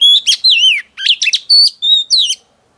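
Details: Female oriental magpie-robin, newly wild-caught, singing to excite males: a clean, continuous string of loud whistled phrases, sliding and warbled notes in quick succession against a silent background.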